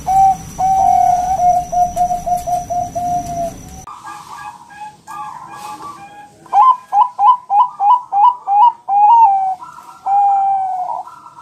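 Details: Bangkok zebra dove, a champion bird, used as a lure or tutor recording to make other birds reply and sing. A run of short, even coos near one pitch, a pause, then a crisp burst of rapid clipped notes and drawn-out coos.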